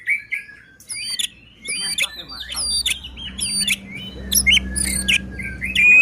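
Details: Singing white-rumped shama, used to get other shamas singing and agitated: sharp chirps and rising whistled notes in quick succession over a steady low hum.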